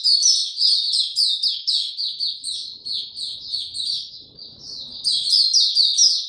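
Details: White-eye in song, given no health supplements, recorded 29 April 2022: rapid unbroken high twittering and squeaky chirps that dip slightly in the middle, then brighten again, over faint low background noise.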